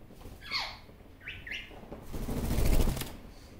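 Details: Captive Barraband parakeet, a one-year-old male, chattering alone before a mirror; three short downward-sweeping chirps, the last two close together, followed by a burst of rattling, fluttering noise.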